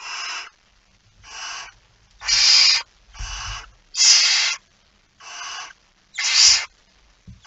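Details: Barn owl at the nest at feeding time, 19 September 2019 before dawn: a steady series of seven short rasping hisses about one second apart, alternating softer and louder, with faint bumping underneath.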